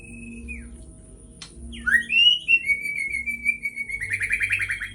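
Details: White-rumped shama phrase played to rile up a bird: a thin held whistle dropping away, then pauses, then looping slurred whistles settling into a long steady tone that breaks into a fast pulsing trill, low hum beneath.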